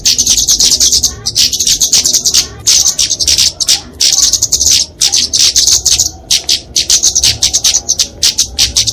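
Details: Flowerpecker fighting song, used to train and lure small songbirds: very high, thin, rapid chirping in dense bursts of about a second, separated by brief pauses, continuing throughout.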